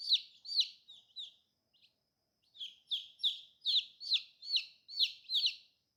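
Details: Young dyed chicks peep in a steady chain: a few high, down-slurred notes, a quiet pause of about a second, then seven strong evenly repeated cheeps.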